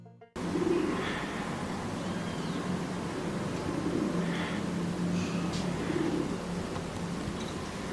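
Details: Domestic pigeon (Columba livia) in central Argentina giving low, soft rolling coos repeated every second or two over a steady background hum, with a few faint higher chirps from other birds.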